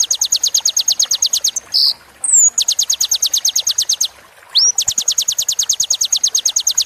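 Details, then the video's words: High, rapid trilled phrases of a sunbird, used to train caged songbirds. The trills are broken by a short buzzy note and a rising whistle, then start again at the same fast, steady pace. "MASTER BURUNG KECIL KOLIBRI"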